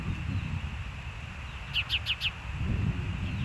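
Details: Osprey at the Hellgate nest on 4 June 2024, early afternoon: four short, sharp, slightly falling whistled chirps in quick succession, about one every quarter second, over steady low rumbling background noise.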